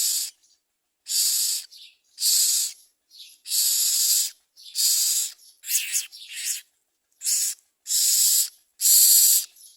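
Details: Common myna bringing food to its young: an irregular run of loud rasping hisses of varied length over about ten seconds. Shorter, thinner chirpy notes are mixed in.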